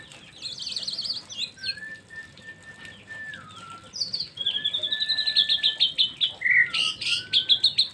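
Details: White-rumped shama singing: high, sweet whistled notes and long sliding tones, building into fast rhythmic trills of bright chips near the end, with a soft background hiss.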